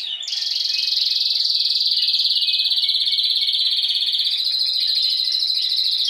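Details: Spanish timbrado canary song, with last season's bird and young learning to sing: one long, loud, unbroken metallic roll held steady in pitch for about six seconds.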